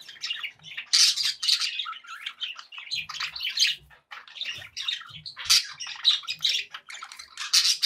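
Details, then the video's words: Contented pet budgies in lively chatter: rapid scratchy warbling, sharp squeaks and squawks running nearly nonstop, with a brief quiet gap near four seconds and faint low knocks. "happy budgie sounds"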